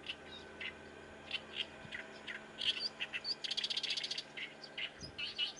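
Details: Oriental reed warbler with rough, chattering song phrases, rising into a dense rapid rattle midway before returning to spaced harsh notes.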